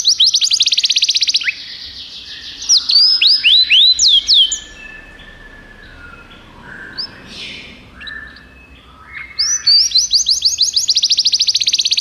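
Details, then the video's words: Belgian canary tutor bird singing, opening with a loud rapid trill and falling whistled sweeps, dropping to softer scattered warbled notes in the middle, then resuming a fast, loud, rattling trill at the end. "professor Canário belga cantando muito"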